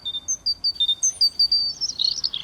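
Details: European robin song, played back as a stranger's song inside another robin's territory in a Paris park, which the resident answers as an intruder: thin, high, clear whistled notes jumping in pitch, quickening into a tumbling, sparkling twitter.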